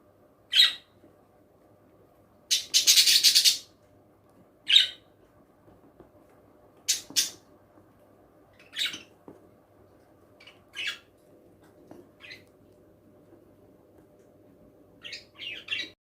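Young budgerigars give scratchy, high chirps and squawks in irregular bursts, with one longer harsh squawk.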